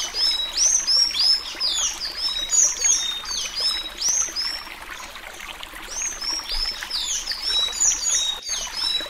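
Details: A Sayaca tanager sings an Alagoano-style song, a long run of thin, squeaky, high twittering notes, about three per second, over a steady soft hiss; used for training young birds.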